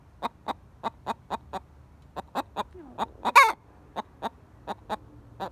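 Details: Yellow Buff Orpington pet hen keeps up an alarm after being frightened: rapid series of sharp, clipped clucks roughly every quarter second, one brief loud rasping shriek in the middle and a faint low drawn note.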